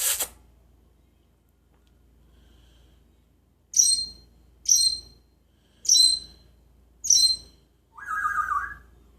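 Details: Parrot in Jeddah that talks, sings and mimics sounds, giving four sharp high chirps about a second apart followed by a steady mid-pitched whistle, after an opening burst of noise.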